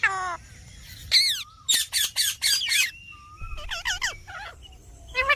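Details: Ringneck parakeets heard in a talking parrot recording: a burst of loud, harsh, downward-sweeping squawks, four in quick succession, then softer wavering calls and more screeches.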